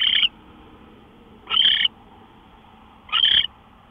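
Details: Owl recorded at 5:27 AM on 24 March 2013, giving three harsh, hissing bursts of about a quarter to a third of a second each, spaced roughly one and a half seconds apart, with a quiet low background.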